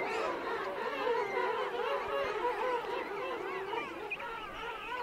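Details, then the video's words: King penguin colony of adults and chicks at Right Whale Bay, with many birds giving overlapping wavering calls in a busy, even chorus and an occasional higher whistle. "King Penguin. CU Adults Calling. Colony Of Adults And Chicks."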